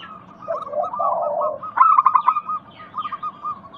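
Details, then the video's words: Zebra dove lure recording for doves that stop singing. A low, rolling coo leads into a loud, rapid run of high chirps, then softer scattered notes. "Pancingan Ampuh burung perkutut lokal bikin nyaut kutut sekampung Untuk Atasi macet bunyi"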